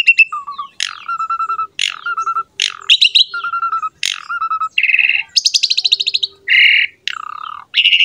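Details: Asian pied starling (jalak suren) in strong song, a lure for starlings and other songbirds: loud squawks each followed by a steady low whistle, then buzzy rattles and harsh bursts, phrases spaced about a second apart.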